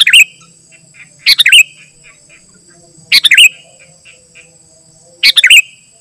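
Sooty-headed bulbul giving short, bubbly, liquid phrases about every two seconds, each a quick burst of rich whistled notes, with a faint steady high hiss behind.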